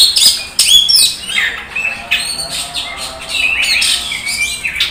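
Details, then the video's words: Oriental magpie-robin in Indonesian singing competition, winner of first place: rapid mix of sharp whistles, harsh chatter and falling notes over a continuous background drone. "Aksi Kacer Senopati habis gantang juara 1"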